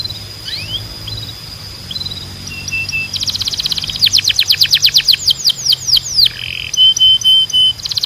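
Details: A Belgian canary starts with faint scattered notes, then breaks into loud rapid trills and descending whistles, ending with short flat whistled tones.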